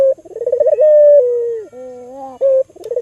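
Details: Albino Barbary dove used as a lure for other doves: a rapid pulsing trill flows into a long steady coo, then a soft wavering tone and another short trilled burst.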